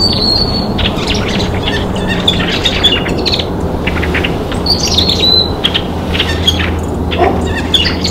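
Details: Rusty blackbirds in winter giving squeaky, creaky high whistles and short chips scattered throughout, over a loud, steady low rumble of background noise.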